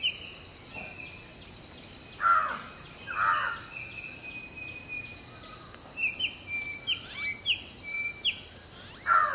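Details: Common hill myna preening and singing during the dawn morning chorus: loud, harsh, harmonic notes, two close together then another at the end, over a steady background of quicker high chirps from other birds.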